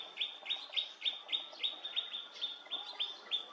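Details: A Siberian blue robin at Vahrit, Khuangthli, Mizoram, gives a steady run of high, sharp chips, about three or four each second, over a faint background hum.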